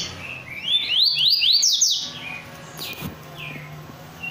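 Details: A kept rusty-collared seedeater in full song gives a fast run of ringing rising whistles over about a second and a half, followed by quieter scattered notes and a sharp click.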